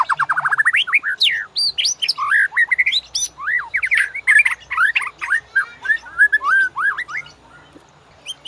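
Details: .White-rumped shama (murai batu) song as a master recording for training birds that make only harsh noises: a rapid, continuous run of varied whistled slurs, rising and falling, with dense chattering notes woven throughout.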